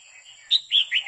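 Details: Female red-whiskered bulbul singing continuously to excite a male: a brief run of four bright, chirpy notes, the first slurred and rising, then three warbled notes, in a quiet setting.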